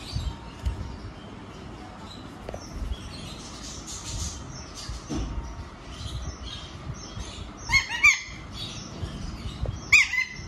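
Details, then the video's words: A young Alexandrine parakeet gives two loud, harsh screeches a couple of seconds apart near the end, over soft background chirping and twittering. "Alexandrine parrot l Talking parrot l Baby parrot"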